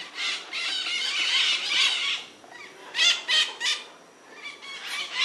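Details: White-eyed parakeet (Psittacara leucophthalmus), calls.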